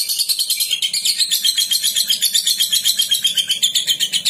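A lovebird gives a long, unbroken run of shrill, rapid chattering, about four harsh pulses a second, high and scratchy throughout.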